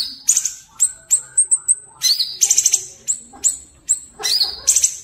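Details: Sooty-headed bulbul song for vocal training. High whistled notes and rapid chirpy trills come in short bursts roughly every half second, with occasional rising slurs.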